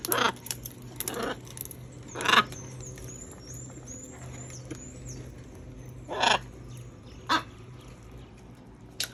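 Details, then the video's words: Macaws eating fruit give harsh, raspy squawks, single bursts scattered across the clip, loudest near the middle. Faint high thin chirps of another bird run in the background over a steady low hum. "Guacamayas comiendo frutas"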